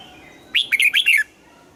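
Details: Red-whiskered bulbul in morning singing practice, trained toward a wild-style double-note song; one quick phrase of five or six bright, bouncing whistled notes, rising then falling, lasting under a second.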